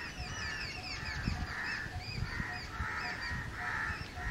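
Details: Noisy house crows: repeated harsh caws roughly every second, beneath plentiful high chirps and whistles from other birds, with soft low thumps throughout.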